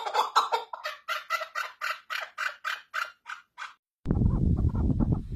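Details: Chukar partridge (keklik) calling: a steady series of about thirteen hoarse, clucking chuk notes, roughly three per second, fading slightly, then a sudden burst of loud rumbling noise after four seconds.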